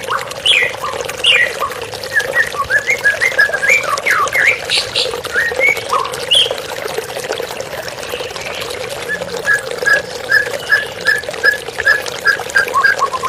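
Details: Song of a white-rumped shama with flowing water for therapy listening: mixed whistled phrases and chirps early, later a long even series of short repeated notes, over steady trickling water and hum.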